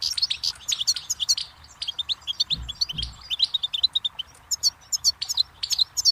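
Goldfinch song: a rapid, tinkling run of high twitters and buzzy trills, broken by two soft low thumps midway.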